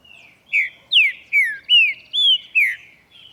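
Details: Singing green-winged saltator in the morning, giving a rich whistled phrase of six smooth slurred notes, several sliding down in pitch. Each note lasts about a quarter second and the notes come at a steady rhythm.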